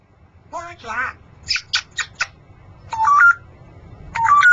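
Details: Pet male Congo African grey parrot, perched indoors in a shop by day, producing mixed vocal sounds: a harmonic speech-like phrase, a quick series of four clipped squawky notes, then two rising whistled phrases.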